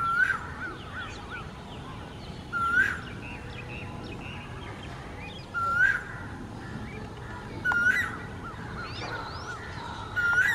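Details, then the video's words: Male Asian koel calling: a loud, rising whistled note repeated about every two and a half to three seconds, five times, over a busy background of faint chirping birds. "Asian koel male call"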